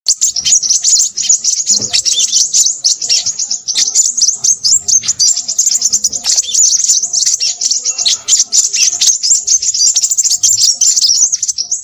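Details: Crimson sunbird, described as noisy, giving a long, unbroken stream of very high, thin, rapid twittering and chipping notes with barely any pauses, loud and close throughout.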